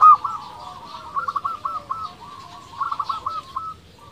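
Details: Local zebra dove song used to provoke rivals into answering, heard at moderate distance: soft, rolling, bubbling coo phrases in two runs, with light background noise.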